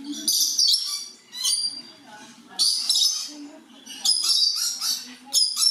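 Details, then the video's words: Blue-eared lory kept with several lory species in a warm house gives harsh, high screeching calls in bursts of about a second, separated by brief pauses, with softer chattering between; volume turned down. "Blue-eared Lory calls"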